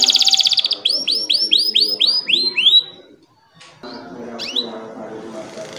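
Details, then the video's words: Canary singing as a master song for young birds and to coax silent canaries: a buzzy trill, then a run of rapid high upward-sweeping whistles, a brief pause, and softer warbling with quick high notes. "KENARI GACOR ‼️ COCOK UNTUK MASTERAN KENARI PAUD DAN PANCINGAN KENARI MALAS BUNYI"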